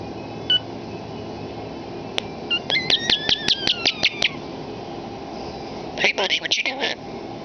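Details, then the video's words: Talkative common starling imitating human speech in a room: one short beep, then a rapid ticking series of about a dozen clicks with sliding whistles over two seconds, a pause, and a harsh squeaky chattering burst. "the Talking Starling"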